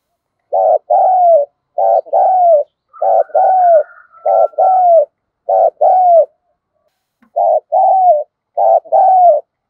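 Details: Captive spotted dove cooing as a lure for wild doves: eight steady paired coos, each a short note then a longer descending one, with a faint thin whistle partway through.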